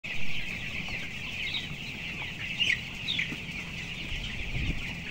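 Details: Broiler chicks 14 days old, weighing 525 grams, on the upper floor of a closed house holding 11,000 birds; a dense chorus of high, thin peeps overlaps continuously, with a steady low machinery hum underneath.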